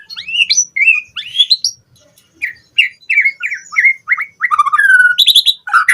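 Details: Caged white-rumped shama singing as a lure for training birds, a fast stream of rising whistles, slurred notes and trills with varied phrases packed closely together.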